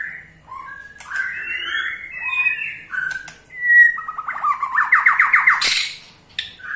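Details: Ketrekan of a white-rumped shama, used to set other shamas singing. Varied warbled and whistled phrases come first, followed by a loud rapid rattle of repeated downslurred notes that ends in a sharp burst.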